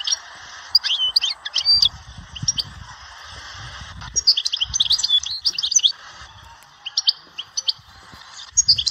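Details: European goldfinch singing at Dahouara, Souk Ahras: bright, rapid twittering bursts of tinkling, liquid notes in phrases of about one second, separated by short pauses, with a steady low hum and faint background rumble.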